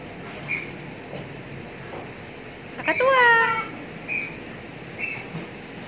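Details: An excited pet cockatoo, which dances and gets noisy when people play with it, gives one drawn-out, nasal, slightly falling squawk under a second long, while a person urges it to dance again.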